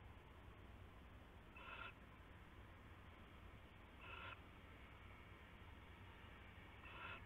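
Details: Owlets in a nest box late at night in January 2016, three faint hoarse screeches spaced about two to three seconds apart against a constant low background hum.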